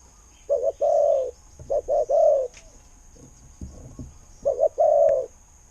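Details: Decoy spotted dove calling in the 'khu-ang' style, noted for its good voice. Three low cooing phrases: a quick doubled note, then a sustained mellow coo, with faint knocks and rustles between phrases.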